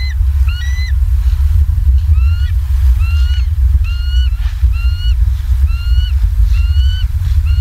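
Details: Bald eagles on a live nest cam in Southwest Florida, evening of 28 October 2022, giving high, thin piping chirps in short series of two to three notes, repeated throughout over a constant low rumble of wind or noise.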